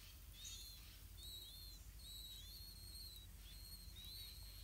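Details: Blue-winged pitta nest during feeding, parents carrying earthworms to chicks: short, high, thin whistled notes, some slightly falling, come in quick irregular clusters over faint low background noise.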